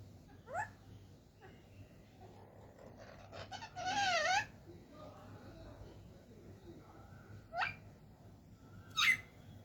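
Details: Talking parrot indoors producing brief sliding, voice-like syllables, with a louder wavering burst around the middle and short sharp squeaky notes near the end, amid a low steady room hum.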